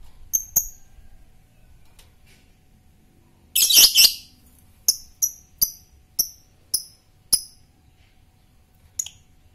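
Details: Fighter lovebird, recorded to stimulate others to sing, giving a harsh high chattering burst followed by a run of sharp clipped ticks, about two per second, the ticking style, with a few scattered chirps.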